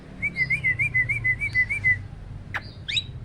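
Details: Caged competition starling, a repeated contest winner, singing loud rapid 'shots': a wavering whistled trill near one pitch for two seconds, then a sharp click and quick upslurred whistles, over a low hum.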